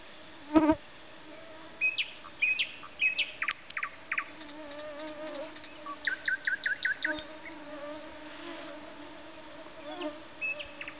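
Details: Nightingale song of varied phrases: scattered whistles and chirps, then a quick series of repeated sharp notes around the middle, with pauses between phrases and a continuous droning buzz like flying insects underneath.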